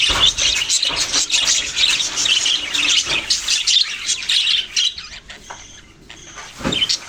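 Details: Budgies chirp and squawk busily in overlapping bursts of high, warbling notes. The chatter thins out toward the end, leaving a few scattered calls.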